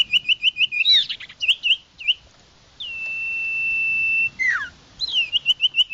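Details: Common iora lure sound: fast trills of short looping notes surround one long steady whistle that drops away in a downward slur.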